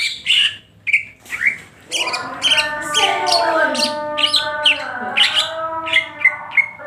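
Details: Greater green leafbird, crest raised and tail spread, sings ngentrok style: a few separated chirps, then dense rapid twittering layered over sustained lower tones.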